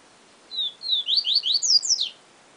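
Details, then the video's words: Yellow-bellied seedeater phrase in the Siu Siu Professor style, opening with two high drawn whistles and continuing into a rapid string of short, bright, downward-slurred notes that rise in pitch toward the finish. "Papa Capim Siu Siu Professor"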